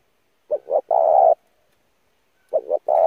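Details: Lure song of a spotted dove for decoy training: one phrase of two soft short hoots and a longer hollow coo, then the start of the next phrase after a two-second gap.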